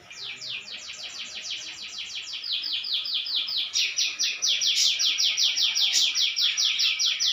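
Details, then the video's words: Persistently singing canary with one long, even trill of sharp descending notes, several per second, growing louder and slightly slower in the second half, with a few faint clicks. "Kenari Gacor"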